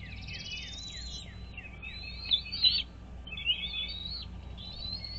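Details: Bald eagle at a nest on Dale Hollow Lake on the Kentucky-Tennessee border, recorded on a nest camera on the morning of 17 April 2023. A quick run of high descending piping notes is followed by brief louder squealing bursts.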